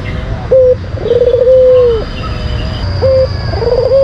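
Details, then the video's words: White collared dove, a kept song-contest bird, giving its lure song: a clipped introductory note followed by a drawn-out trilled coo that sinks at the finish, then a new phrase begins. A low background hum runs throughout. "Pancingan Puter Putih Terampuh , Full Gacor"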